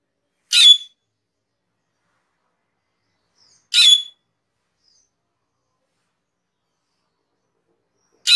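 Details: Master recording of a cucak keling for training cage birds: loud, harsh squawks with a ringing whistled streak, repeated about every three seconds against complete silence.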